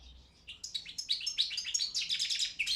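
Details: Balkan European goldfinch (Carduelis carduelis balcanica), a bred bird entered in an internet world song championship run by a Serbian breeders' association: a quiet start, then a fast run of bright twittering notes and trills, high and chattering, with little background noise.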